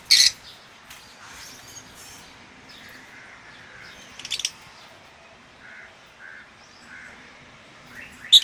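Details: Masked lovebirds on a lovebird farm holding albino, violet, blue masked and lutino personata give sharp, shrill screeches at the start, middle and end, with soft high chirps from other birds in between.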